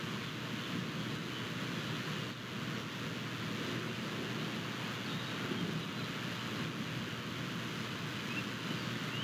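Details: Constant broadband wind rush buffeting the microphone, recorded on 22 May 2023, with no eagle calls or other animal sounds.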